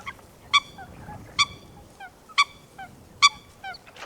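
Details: Coot recorded in natural wetland habitat: four loud, abrupt, nasal 'kowk'-like notes roughly a second apart, each followed by fainter softer notes, over a low background murmur.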